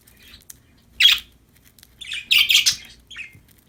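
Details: Cheerful budgies at play: a single loud squeaky chirp, then a longer burst of scratchy, warbling chatter ending in a thin trailing note, over near silence.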